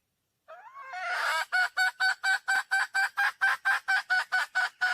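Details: Red junglefowl hen calling for a male in the wild. A rising nasal wail builds into a long steady cackle of about sixteen loud, harsh, evenly spaced pulses.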